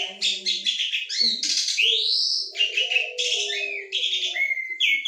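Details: Asian pied starling (Gracupica contra) singing energetically and chattily with a varied repertoire: a rapid, nearly continuous medley of harsh rasps, squeaky whistles and rising slurred phrases, with mimicry mixed in.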